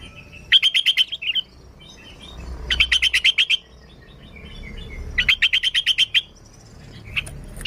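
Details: Sooty-headed bulbul singing energetically as a lure: three bursts of rapidly repeated bright notes, each about a second long, spaced roughly two to three seconds apart over a low background hum.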